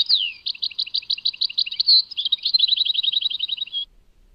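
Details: European goldfinch, Tadmait: a falling slur opens a long run of quick, evenly repeated chirps, shifting midway into a faster tinkling trill that ends abruptly.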